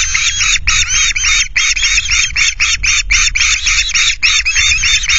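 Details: Nesting ospreys at Loch Garten, indignant at an intruding osprey, screech to drive it from the nest: rapid rasping calls in a continuous stream, with low wind noise underneath.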